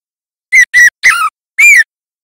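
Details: Juvenile White-rumped Shama (murai batu trotol) learning song, used as training audio: four rich whistled notes, the third sliding downward, the last a drawn-out falling slur, in silence.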